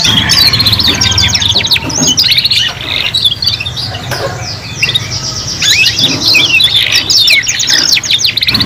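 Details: Three young canaries sing together while learning their song: dense overlapping high trills, rapid chirps and sweeping whistles in continuous bursts, with a short lull near the middle and a low background hum.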